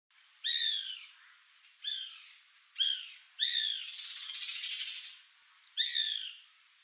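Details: Bananaquit (Coereba flaveola) giving short, bright, downward-slurred high notes, each about half a second long and spaced one to two seconds apart. A burst of hissing noise runs between the third and fifth notes.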